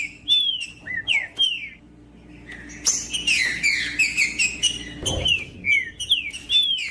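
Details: Green-winged saltator (trinca-ferro) singing, a song used to warm up and stimulate other saltators to sing: clear whistled slurred phrases, rising then falling, with a denser run of overlapping bright notes midway and a low thump near the end.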